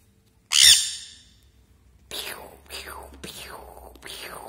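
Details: A baby sun conure, playing, gives a harsh squawk, then a run of quick, falling 'peww' notes.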